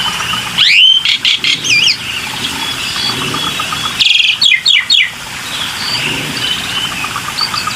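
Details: Black-winged myna lure sounds: two loud bursts of harsh, scratchy notes and squeaky slurs, separated by quieter chattering and a soft background hiss.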